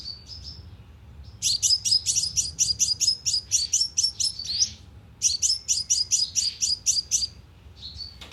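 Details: Sunbird lure call used with a speaker trap: two short introductory chips, then two long, very rapid series of piercing high chirps separated by a brief pause.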